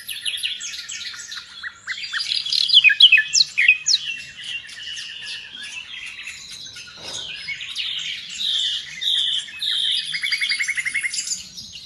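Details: Nightingale singing energetically, a rich, varied medley of rapid chirps, buzzy trills and high slurred whistles changing every second or two, ending in a fast even rattle, with a faint background hiss.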